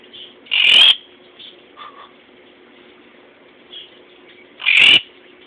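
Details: A captive blue Quaker (monk) parakeet in a pet store gives two loud, harsh squawks about four seconds apart, over a steady background hum and faint chirps from other birds; recorded 16 October 2013.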